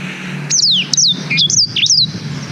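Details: Black-throated canary song, long recording meant for tutoring young canaries, made with a GoPro Hero 5: a run of five high, clear whistled notes, each sliding steeply downward, delivered in quick succession over a faint low hum.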